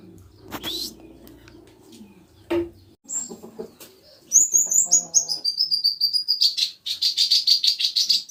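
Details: Common iora song played as a lure to get a kept bird singing along. After scattered clicks and soft low sounds, high whistled notes step downward, then a fast, steady run of sharp repeated notes follows, about three per second.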